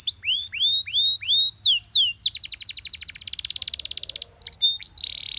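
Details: Belgian canary singing in the morning, opening with slow rising-and-falling whistled swoops, then breaking into a long fast rattling trill, a few sharp notes and a short buzz.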